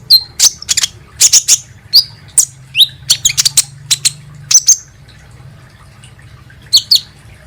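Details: Kolibri ninja sunbird, played as a lure to make birds sing: sharp, very high chirps and short descending notes in scattered bursts, with a quiet pause near the end before two more chirps.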